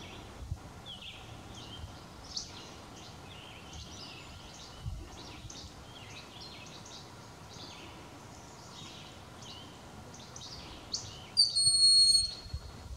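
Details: Broad-winged hawk calling in Ontario: one thin, high, drawn-out whistle near the end, over soft scattered chirps from small birds.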